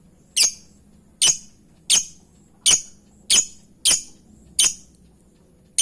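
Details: Lovebird lure calls: a steady series of eight sharp, shrill chirps repeated roughly every 0.7 seconds, evenly spaced and similar in strength, over a low background hum.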